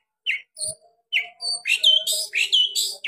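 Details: Brief burst of long-tailed shrike song with sharp 'tembakan' variations: separate squeaky chirps, then a tumbling string of sharp, upslurred whistled notes.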